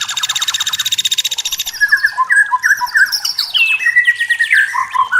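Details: Forest white-rumped shama delivering clear natural song: opens with a fast buzzy rattling trill, then loud varied whistled phrases with rapid slurred notes and rising sweeps.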